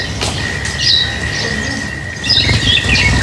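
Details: Lovebirds chirping during feeding: a few shrill, slightly sliding chirps and squeaks come in small clusters over a continuous high tone and soft background rustle.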